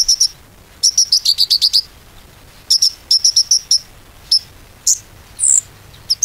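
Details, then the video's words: Konin song used as a lure to make other konin sing: bursts of rapid, ringing high chirps in groups of four to eight, separated by short pauses, with a few longer whistled notes near the end. "PANCINGAN KONIN ‼konin macet pasti gacor kembali"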